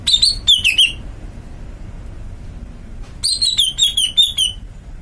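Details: Two lively phrases from a caged greater green leafbird: rapid clear whistled notes with ringing overtones, each phrase descending in pitch, separated by about two seconds of quiet.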